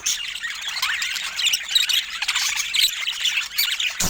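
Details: Pet budgerigars chattering: a dense, continuous mix of high squeaky chirps, warbles and short squeals, with overlapping voices and no pause across the clip.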